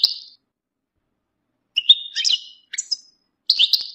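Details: European goldfinch bitbita, mating and readiness calls said to make males sing and end their moult silence: a brief twitter, a pause, then lively tinkling phrases with high whistled notes and buzzy trills.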